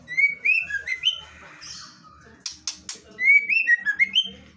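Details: Female white-rumped shama in vigorous ngeplong song: a rapid string of bright slurred whistles, a pause broken by sharp clicking bursts, then another fast run of fluting notes, with faint low hum behind.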